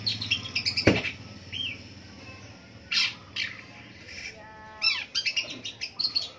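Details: Long-tailed shrike singing in the morning: a loose mix of short chirps, scratchy squawks and brief whistled notes with pauses between, plus one sharp click near the start and a low hum underneath.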